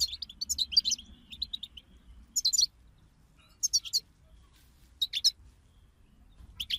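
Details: Group chatter (bitbita) of European goldfinches used to prompt a pet goldfinch into song: quick runs of high tinkling chirps at the start, then separated bursts of sharp, rapid twitters roughly every second.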